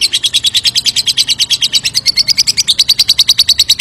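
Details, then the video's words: Lovebird giving a long ngekek trill meant to provoke another bird into answering; a fast, even chatter of sharp high notes, roughly eight to the second, holding steady throughout with no other sounds. "Suara pancingan lovebird ngekek panjang pasti langsung nyaut"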